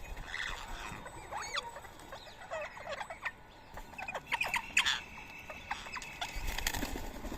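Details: Rose-ringed parakeets gathering for soaked boiled rice at 7 a.m. on 31 March 2024, Coimbatore, India; many harsh, chattering screeches overlap in a dense, busy chorus with scattered sharp clicks.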